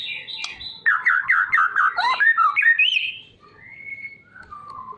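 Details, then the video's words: White-rumped shama song meant to draw other birds into singing; a rapid string of rich, warbled notes about six in a row, then a long clear whistle and a softer falling whistle. "MURAI TROTOL DAN PASTOL"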